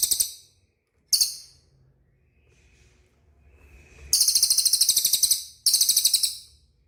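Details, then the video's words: Cililin calling to provoke caged birds into responding: two brief high buzzy bursts, then two longer shrill trills of fast pulses, each about a second, with a low hum beneath. "SUARA CILILIN DIJAMIN CEPAT RESPON"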